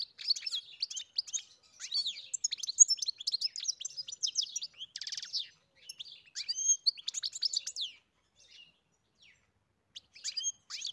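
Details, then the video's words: European goldfinch singing on a farm: a fast, rambling stream of bright tinkling twitters, trills and buzzy notes, nearly continuous for about eight seconds, then brief pauses before a final burst of chirps. "Καρδερίνα μελωδία (Goldfinch carduelis SINGING)"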